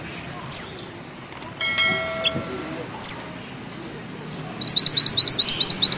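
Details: Mountain bushchat (mantenan gunung) giving two sharp high downslurred whistles, then a rapid rolling series of chipping notes; a faint tonal mechanical sound intrudes between them.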